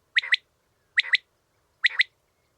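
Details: Common quail gives its clear three-syllable call, two bright sharp notes bracketing a softer middle, three times in quick succession, each about 0.85 seconds apart, against complete quiet.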